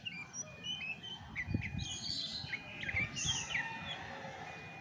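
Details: Chestnut-backed thrush (anis macan) singing softly: scattered short whistles and brief warbled flourishes, fairly quiet against a low hum and faint thumps.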